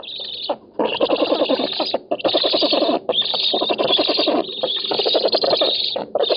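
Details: On a nest camera in an oak in Poland, 7 August 2018, black storks compete for fish. Rough, buzzing pulsed calls run in bursts of about a second, separated by short silences.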